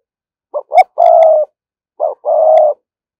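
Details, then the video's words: Lure spotted dove giving thúc gù coos to draw wild doves: a pair of short, sharp coos then a long, even hollow note, a pause, then one short coo and another long steady note, faint clicks above. "cu gáy mồi cây thúc gù bài bản"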